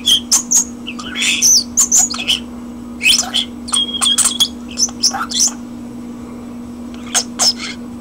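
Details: Indoor common starling delivering a busy song of sharp clicks, pure whistles and wheezy chatters in quick runs, then a pause before a few final notes, with a faint constant electrical hum.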